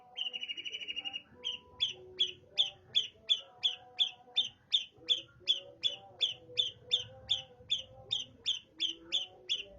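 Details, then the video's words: Long-tailed shrike singing a house sparrow imitation: a steady run of short, bright chirps about every 0.4 seconds, opening with a brief buzzy trill; faint low background hum. "cendet gacor isian burung gereja"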